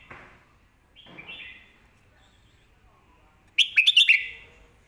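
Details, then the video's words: Red-whiskered bulbul master song, used for teaching young birds to sing clearly. After two faint rustles comes a quick, bright, bubbling phrase of several clear warbled notes. "สำนวนแม่บท"ร้องชัด สอนลูกนก"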